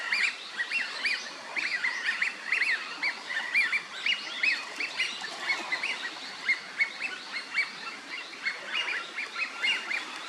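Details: A group of wintering Eurasian wigeons in a Chiba park pond, Japan, in November 2023, calling almost continuously: many overlapping short whistled notes that rise and drop sharply, repeated throughout, over faint ambient noise.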